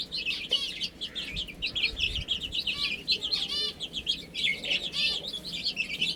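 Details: Chicks eating and drinking, peeping in a lively, continuous chorus. Some calls are clear, ringing and down-slurred, with faint low thumps in the background.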